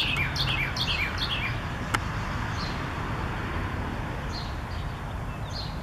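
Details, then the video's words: A Carolina wren in a backyard sings a quick run of about five bright, downward-slurred phrases; a few faint chirps follow over a steady low rumble of distant traffic. "Wren Song"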